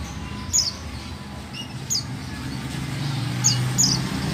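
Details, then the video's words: Calling female buxtoni white-eye, a sound meant to draw song from reluctant males: a few thin, high chirps slurring downward, spaced unevenly, over steady low rumbling noise. "Call Suara Pleci Buxtoni Betina"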